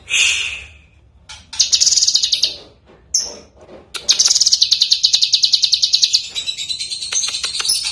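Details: Lively Lesser green leafbird song used as a master recording for tutoring songbirds: a high whistle, then scattered sharp chips, then a long fast buzzy trill of rapidly repeated notes that tapers off.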